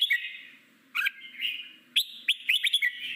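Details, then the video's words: A red-whiskered bulbul sings in a wild, forest style used to train newly caught birds. It gives bright, liquid warbled phrases in three quick bursts, the last a rapid run of sharp notes, over a faint low hum. "Chim chào mào hót giọng rừng"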